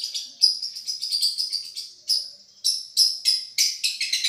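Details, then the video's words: Madura long-tailed shrike recorded as a tutoring song billed as champion quality: thin, high, whistled and chipping notes in quick clusters, a pause, then sharp separated chirps. "Masteran | Suara Juara Nih!!! Cendet Madura"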